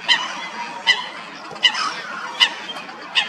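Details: Red-crested pochard, a male seen feeding on algae in the snow in a London park (Hyde Park or Regent's Park), gives short, harsh, nasal calls about every three-quarters of a second over a soft hiss.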